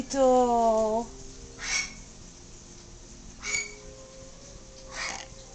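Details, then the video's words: Newly adopted yellow-naped amazon talking with its owner: one long, level harmonic phrase lasting about a second, followed by three soft breathy bursts and a faint steady tone. "the YNA talking"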